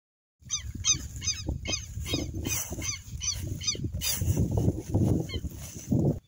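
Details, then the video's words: Southern lapwing from the Amazon giving a series of harsh, strident hooked notes repeated several times a second, over a heavy low rumble of wind or handling noise. "pássaro quero-quero da Amazônia"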